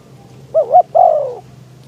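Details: Decoy spotted dove calling in a trapping pen to attract wild doves in windy weather. A single phrase: two short wavering coos run together, then one drawn-out mellow coo sliding gently downward, over a steady low hum.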